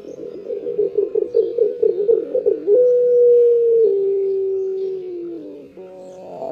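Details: Morning cooing from a pet Barbary dove: a fast rolling, purring burst for nearly three seconds, then one long level coo that slowly sinks in pitch before fading. A quiet indoor setting with no other sounds.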